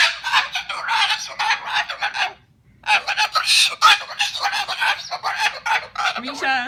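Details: Pet Moluccan cockatoo, upset at having its kitchen-table nest cleaned, lets out dense rasping screeches in two long bursts split by a short silence; a person's voice comes in at the end.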